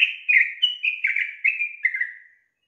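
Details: Female sooty-headed bulbul calling the male to prompt him to sing. About eight bubbly whistled notes in quick succession slide gradually lower and fade out after two seconds.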